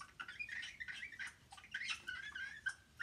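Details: Playful pet talking parrot kept indoors makes a quick run of bright, whistled chirps and squeaky twitters that flick up and down, in a quiet room.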